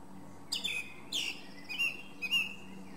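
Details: Song thrush (Turdus philomelos) song of four separated notes, loud and slightly harsh, with short whistled ends, in a quiet setting with a low background murmur.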